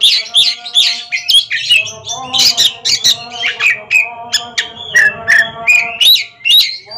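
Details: Two caged ringed Oriental magpie-robins in a singing duel: rapid varied phrases of sharp chirps, rising whistles and harsh squawky notes, about two to three bursts per second, with a faint low hum beneath.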